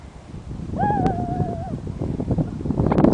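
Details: Gull at Point Pleasant in November giving a single drawn-out, clear mewing note that holds nearly level and sags slightly over about a second, followed by rumbling wind and outdoor noise.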